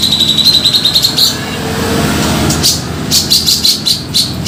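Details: A grey-cheeked bulbul used as a trapping lure gives a quick, high chattering trill, then a pause and a series of rough, explosive notes repeated several times a second, over a low background hum.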